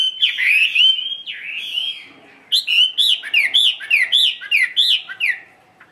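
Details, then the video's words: Chinese hwamei, tame and caged, singing solo at midday. Long sweeping whistles give way, after a short pause, to a rhythmic series of loud, looping slurred notes, several per second. "HM 320 ngũ trường siêu mẫu thuần đét solo giữa trưa"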